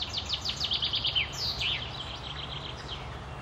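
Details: May 2016 recording of a singing chaffinch at the Akulovsky waterworks in Korolyov: a quick series of descending high notes, then a downward-sweeping flourish, followed by fainter trailing notes from farther away over a low background hum.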